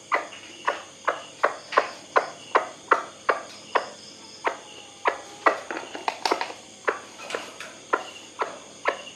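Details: Repeated harsh clucking from a kept white-breasted waterhen meant for luring birds at night, about two to three notes a second with uneven spacing, a brief cluster of faster notes midway, plus steady high insect buzz.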